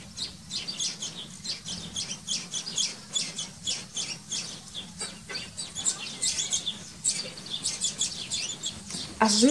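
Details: Common linnet (Linaria cannabina) in a garden, spring and summer 2021, where adults fed their young. Short high chirps repeat rapidly and steadily over a background hiss, with a sweeping note at the close.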